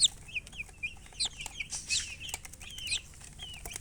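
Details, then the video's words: Several chicks giving thin, sweeping high peeps, some slurred downward and some upward, coming in clusters with short gaps and light scratching noises between. "Baby "Chicks Chirping" Sound"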